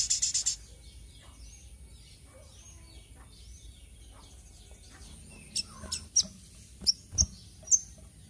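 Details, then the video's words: Little spiderhunter in lively song: a faint run of thin, high scratchy notes, then loud sharp high chips repeated about every half second over the final three seconds, opening with a brief burst of clicks. "Suara Burung Sogok Ontong Gacor"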